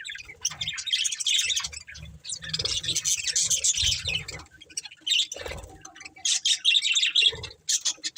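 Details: Budgerigars, a breeding pair, chatter with high scratchy chirps and short squawks in uneven bursts, punctuated by low thumps.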